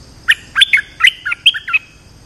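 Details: Vocal bulbul heard on a recording used to lure birds: a quick run of slurred, bubbly notes rising and falling in two short groups, sharp and clear against quiet background hiss.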